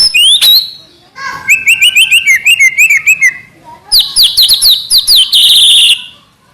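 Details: White-rumped shama in trotol song: a rising whistle, then a quick, even string of chipping notes repeated many times a second, then louder, piercing whistles and a dense, scratchy ending. Quiet background.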